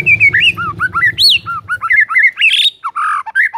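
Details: Singing white-rumped shama, used as a lure to make silent shamas sing: a continuous, loud warble of fluty, bouncing whistled notes with sudden high squeaky upsweeps and varied mimicked-sounding phrases.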